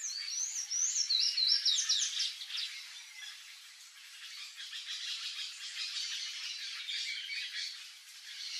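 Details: Palm tanager in Brazil, singing a rapid run of high, squeaky, chattering notes, sharpest in the first two seconds, then continuing as a softer, steady twittering.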